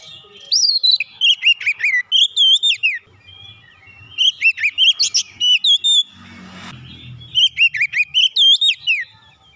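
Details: A provoked kacer, or Oriental magpie-robin, sings in agitation and unloads its repertoire. Three bursts of quick whistled notes, each several syllables long, arrive roughly every three seconds, with a short low rumble in between.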